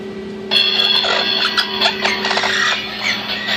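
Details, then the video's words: A male Orange-winged Amazon parrot chatters in squeaky, high mixed tones and mimicked word-like talk while playing in and out of his nesting box, over a steady low electrical hum. "Amazon Parrot playing in nesting box talking"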